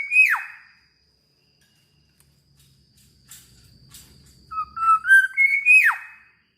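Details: Black-naped oriole, singing busily: a steep falling whistle opens, quiet pause with faint rustling, then a phrase of clear whistles stepping upward that ends in a plunging slur.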